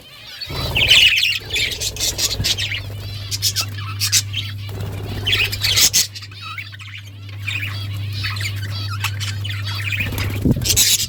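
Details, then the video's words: Pet budgerigars, Australian parrots, chattering in repeated bursts of warbles and clicks separated by short pauses, with a soft low hum and flapping-like rustles. "Beautiful Australian parrots chirping sounds"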